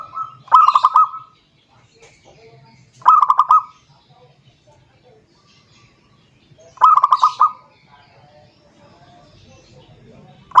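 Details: Zebra dove calling a rival: three separated bursts of rapid, bubbling coos, each with about five notes, with quiet gaps and faint low background noise between them.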